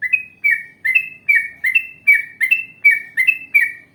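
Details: Yellow-vented bulbul, a chatty trucukan with long ngalas and ropel song styles, recorded as a lure to draw other bulbuls into answering: bubbly, slurred two-part notes repeated a little over once per second, steady and clear.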